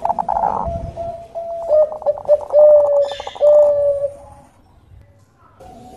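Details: Perkutut Bangkok, the Bangkok-type zebra dove, sung as a lure. A short burst of coos leads into drawn-out, slightly descending cooing notes, then fades to near silence with faint background hiss.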